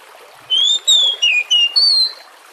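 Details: Oriental magpie-robin song played as a lure to get other magpie-robins singing: five loud, clear whistled phrases near the same high pitch, some sliding and some flat, with short gaps between them, over a soft background hiss.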